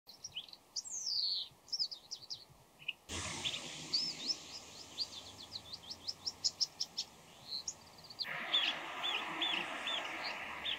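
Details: Bull-headed shrike calling before dawn in many different voices, mixing calls and mimicry. Sharp falling and rising notes, then a fast series of upswept whistled chips about four per second, followed by repeated short clipped notes over a steady hiss.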